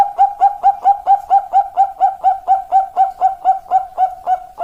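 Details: Zebra dove (perkutut) giving a long song: a steady run of rapid, even cooing notes, about two per second, with none of the pattern changing across the clip.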